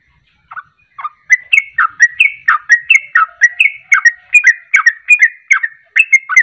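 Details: Fast 'ropelan' song from a sooty-headed bulbul, a lure for getting birds to sing: two soft opening notes, then a steady run of bright, slurred chirps about three per second.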